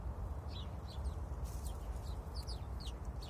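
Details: A sparrow sitting on a branch gives short, bright chirps in quick irregular bursts, about a dozen notes over a few seconds, some paired or slurred downward, above a steady, heavy low rumble of background noise.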